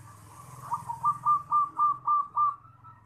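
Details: Champion zebra dove cooing, used for training young doves: six clear, mellow coo notes repeated about every quarter second, each with a slight rising inflection, over a faint low hum.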